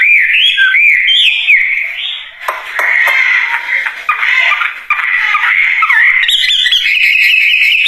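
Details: Wambie in vigorous song: looping whistled phrases that rise and fall, broken midway by scratchy, clicky chatter, then returning to a steady, bright whistled run.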